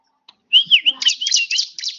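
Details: Short loud burst from a one-year-old bar-winged prinia: a few rising and falling whistled notes run into a rapid high chatter, with a faint low sound underneath.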